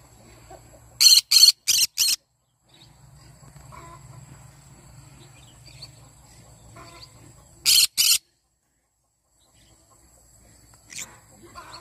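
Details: Yellow-sided conure singing in the morning: a burst of four rapid, harsh screeches, a quiet stretch, then a pair of loud raspy screeches and one fainter call.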